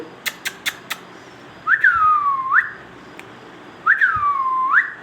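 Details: Indian ringneck parakeet: after four sharp clicks, two long clear whistles about two seconds apart, each sliding briefly up, drawing down in a long dip, then swinging back up at the end.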